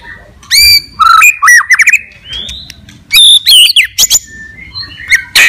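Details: Caged white-rumped shama, called murai batu, singing a fighter-style song meant to provoke other birds: loud varied whistles with sharp upslurred and downslurred notes, buzzy bursts and quick phrases separated by brief pauses.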